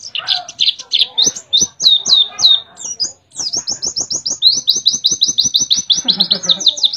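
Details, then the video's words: {'caption': 'A white-eye from Mount Ciremai, West Java, sings canary-style: high slurred chirps speeding into a long, evenly repeated rapid trill, with a soft low rustle near the end.'} "Pleci Nembak Kenarian"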